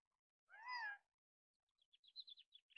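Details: A male Gambel's quail (Callipepla gambelii) announcing breeding availability in the Sandia Mountain Wilderness on a windy day: one loud, nasal, mewing call of about half a second, then a quick run of thin, high chips.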